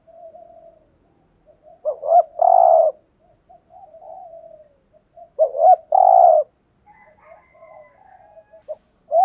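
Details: Decoy spotted dove calling to provoke other males: two phrases roughly three and a half seconds apart, short rising notes then a long, buzzy coo, with soft murmurs and faint higher notes afterward.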